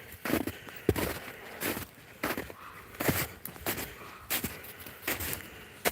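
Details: Footsteps crunch outdoors at an irregular walking pace, with occasional scrapes and very faint speech in the background.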